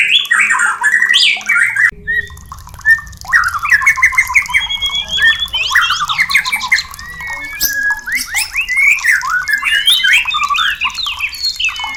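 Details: White-rumped shama song played as therapy to bring a caged bird into breeding condition, fast varied phrases of whistles, slurred notes and harsh squawks packed densely, with low rumbling noise underneath after the first two seconds.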